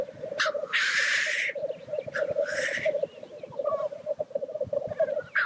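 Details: Black grouse at the lek give a steady low bubbling roo-koo, overlaid by two loud, breathy hissing sneezes early on, with fainter clucks later.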